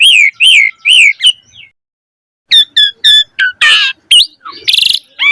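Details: Javan pied starling singing gacor mompa, a lure and tutoring recording for young birds. Three arched whistles open, a short pause follows, then clipped double notes, harsh bursts and bright rising whistles.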